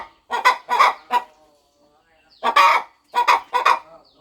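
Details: Mother hen in a quiet farm corner settling over her nest before hatching her eggs, clucking as she prepares; harsh, throaty clucks come in two tight groups of three, separated by a pause of about a second.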